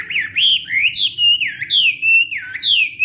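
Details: Hwamei morning song in fighting style, part of voice training: loud, clear whistles swooping up and down in repeated phrases roughly once every half second.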